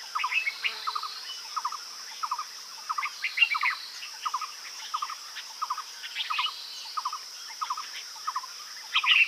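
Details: Himalayan bulbul in Uttarakhand, India, calling with quick groups of two or three short chipping notes repeated at a steady rhythm, a few brighter chirps above, and a continuous high-pitched insect hum behind.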